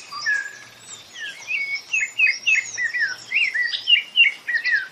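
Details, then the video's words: Rufous-bellied thrush (Turdus rufiventris), common in Brazil's Northeast, sings a rich, continuous warble of fluting, slurred phrases, several notes each second, rising and falling, with nothing else audible. "SABIÁ LARANJEIRA CANTANDO MUITO - MARAVILHOSO CANTO DE SABIÁ"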